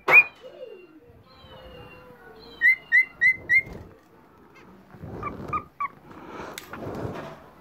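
A cockatiel whistles a series of four quick, clear notes near two seconds in, then softer chirps and warbles with faint household noise.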